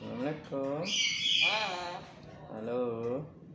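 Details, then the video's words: Tame, talkative black-capped lory speaking indoors: wavering harmonic speech-like syllables, then a harsh raspy high squawk in the middle, followed by another drawn-out talking phrase. "Burung Nuri Jinak Total Rajin Gacor Juga Ngomong"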